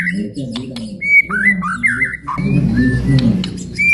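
A white-rumped shama pours out rich, fluty whistled phrases, some sliding up and down, others short and clipped, over a steady low hum.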